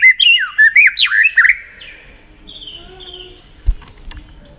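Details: White-rumped shama in tail-flicking 'tạch' mode, used to fire up a shama for song contests; a loud quick string of swooping whistled notes, then faint distant thin whistles and a soft thump.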